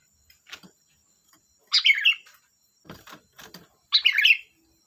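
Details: Sooty-headed bulbul with two loud bubbling, chattering phrases about two seconds apart, and soft taps and clicks in the quiet gap between them.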